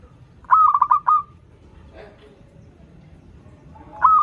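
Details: Perkutut (zebra dove) singing, meant as a lure for birds learning to sing: one quick series of rapid pulsed notes closing on a drawn-out tone, a soft click mid-clip, then the next phrase starting.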